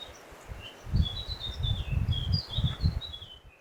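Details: A European robin sings in a Ukrainian national park forest, recorded by a camera trap: thin, high, sliding phrases of varied pitch over a steady low rumble of wind or handling noise; finding: European robin.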